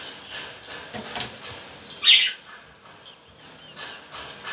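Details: A pet budgerigar at play gives a sharp, high chirp over faint, scratchy chatter.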